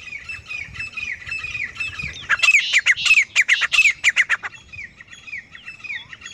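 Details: Grey francolin pair: softer, repeated whistled notes at first, then a loud, harsh run of rapid ringing calls before fading back to quieter notes.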